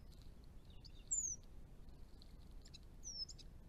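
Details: A Chestnut-rumped Thornbill in northern Victoria, Australia, near garden ponds, gives two very high, thin, down-slurred whistles about two seconds apart, with a few faint soft chips between them over a low background rumble.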